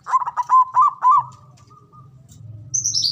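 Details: Local male zebra dove in ngoar manggung style, a call for stimulating mating arousal: a rapid run of about six bubbling coo notes that trails into a soft held tone, then a brief high squeak.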